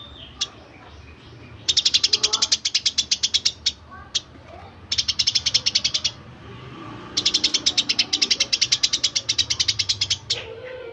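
Eurasian tree sparrow giving three bursts of rapid, dry, scratchy chirps, about a dozen per second, with single sharp chirps between bursts over a faint background hum.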